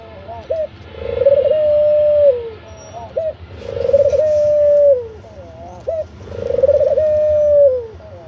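An Australian dove gives three long, mellow, level coos, each led by a few short soft notes and repeated about every two and a half seconds.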